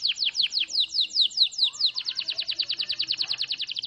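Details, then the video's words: Lively canary song: a string of quick, downward-slurred chirps that gradually tightens into a faster, evenly pulsing high trill. "SUARA BURUNG KENARI GACOR"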